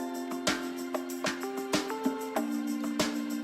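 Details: Gentle plucked guitar music with sustained notes and repeated strums, and no animal sound.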